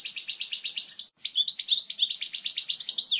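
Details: Goldfinch (European) singing a strong, clear song for teaching chicks: fast liquid twittering phrases with repeated rhythmic note groups, a brief pause, then more rapid tinkling and buzzy notes, very high-pitched and clean with no other sounds.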